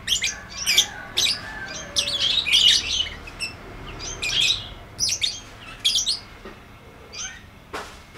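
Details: Lovebird delivering a sustained ngetik ngekek chatter, played to get stalled lovebirds singing. Dense runs of scratchy, ticking squeaks pour out for several seconds, then thin into scattered clicks.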